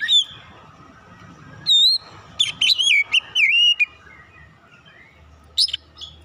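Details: Oriental magpie-robin lure song: a brief high whistle, then a clear whistled note, a rapid string of bright looping notes at mid-clip, and one sharp high note near the end, over faint low rumble.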